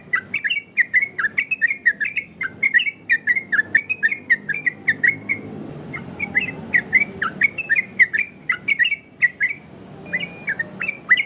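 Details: Yellow-vented bulbul song with a wide repertoire, meant for training other birds and luring wild ones: loud, clear, bubbling whistled phrases repeated rapidly, a short pause midway, then the phrases resume with a similar choppy rhythm.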